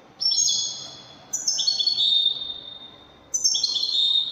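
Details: European goldfinch in Moroccan widani style, giving long, high, sustained whistled phrases that drop in steps, three phrases in quick succession.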